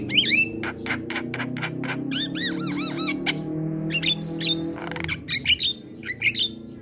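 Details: Javan myna song from a training recording for rousing other mynas: sharp chips, a run of repeated arched whistled notes, then rasping bursts and whistles, over a low humming background.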